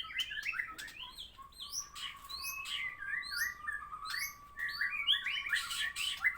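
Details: White-rumped shama singing after moulting, a rich varied stream of whistled and chattering phrases, swooping notes and sharp high trills, over a steady low hum and light background noise.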